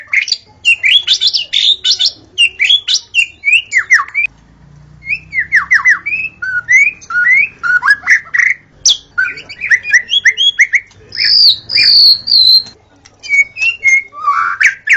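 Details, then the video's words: In the forest, a white-rumped shama (murai batu) sings a long, varied sequence of sharp whistles, rapid chatter and downslurred notes, with a short pause near four seconds and a pure high whistle later. "Murai Batu Auto Gacor: Simak Suara Asli di Hutan yang Memikat"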